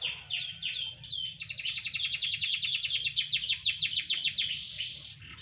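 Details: Canary sunbathing lightly: a few quick downward-slurred whistles, then a long, fast, buzzy trill of rapidly repeated high notes lasting about three seconds before fading into softer twitters.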